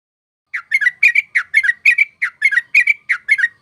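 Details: Sooty-headed bulbul song used as a lure for trapping birds: rapid series of bubbly, slurred notes around a mid-high pitch, in quick clusters after a short silence, clean background.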